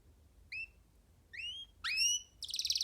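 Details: Free young canary perched on a person's hand, singing: short separated phrases of bright, high whistled notes, each slightly rising, building to a rapid dense trill at the end; quiet background.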